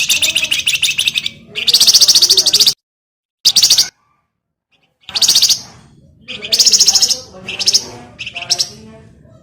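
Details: Caged Javan grey-throated white-eye used as a lure and master song: rough, buzzing chatter in repeated bursts, some long and some clipped short, with brief gaps between them.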